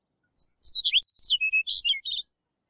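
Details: Chestnut-collared longspur (Calcarius ornatus) song: a quick, sweet, jumbled phrase of high warbled and slurred notes, falling overall, lasting about two seconds against silence.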